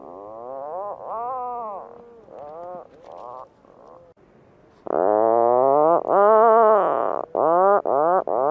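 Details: Puffin calls: drawn-out, groaning harmonic notes that rise and fall in arches, quieter and broken in the first half, then louder, longer moans with short gaps near the end.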